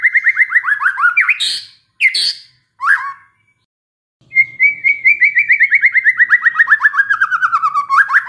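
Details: White-rumped shama singing to a lure recording: rapid falling whistled trills, short sharp bursts, a pause, then a long rhythmic trill slowly sliding downward and ending in a rising note.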